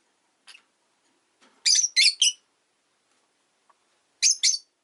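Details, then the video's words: A rosy-faced lovebird kept as a pet chirps during a calm afternoon: a faint squeak, then a quick burst of three rasping high chirps, a pause, and two more close together. "Lovebird Chirping Sounds"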